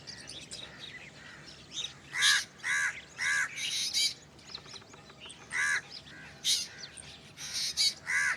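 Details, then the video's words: Black drongo repeating nasal, rasping notes with a ringing harmonic tone, several in quick succession, along with scratchy buzzes. "Black drongo Strange Call / Sound"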